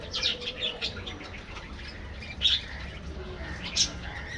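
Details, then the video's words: Budgies in an aviary colony chatter with brief high chirps and squeaks, louder notes near the start and around two and a half seconds, over constant low hum. "parrots,parrot,talking | budgies bird"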